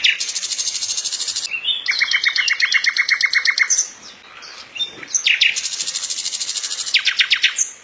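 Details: Common nightingale (Luscinia megarhynchos) song, said to sound like gunshots: rapid, hard, repeated notes in dry rattling bursts of one to two seconds each, with brief high whistles between runs.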